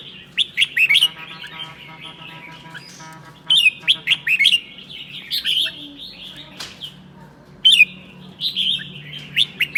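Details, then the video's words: Red-whiskered bulbul of the seven-claw type from Sơn La, Vietnam, singing 'ché' on a cold day: repeated runs of sharp, rapid chattering notes in bursts, with a faint low hum throughout. "CHIẾN BINH 7 MÓNG HÓT CHÉ NGÀY LẠNH"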